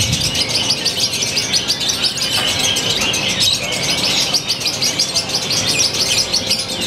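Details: Lovebird from the city of Purwakarta, Indonesia, singing in a new style with closely spaced pauses. Fast, dense, high-pitched chatter of scratchy twitters, about three notes a second, sustained throughout.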